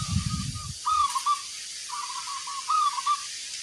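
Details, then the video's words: Zebra dove, a local perkutut, singing with a big 'kung' voice: short cooing notes leading into rolling trilled phrases, clear against a quiet background after a brief low rumble at the start. "Perkutut lokal gacor, gayer suara kung besar"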